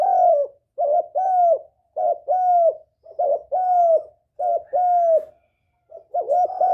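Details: Lure calling of a spotted dove, used to stir a decoy and draw in males: paired mellow coos, a short kinked note then a longer slurred one, repeated steadily about every second, with nothing else audible.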